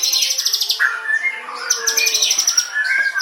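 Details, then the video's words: White-rumped shama song. A rapid high ticking trill is followed by clear sustained whistles at different pitches and brief chattering notes. "MB CENGLI"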